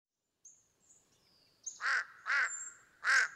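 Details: Large-billed crow (Corvus macrorhynchos) giving three harsh, nasal caws about half a second apart, after faint thin high whistles from smaller birds.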